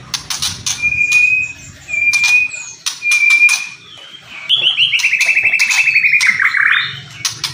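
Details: White-rumped shama in kretekan-and-whistle song said to raise emotion: three long level whistles separated by sharp clicking bursts, then a rapid descending trill of rolled notes, with scattered harsh cracking sounds throughout.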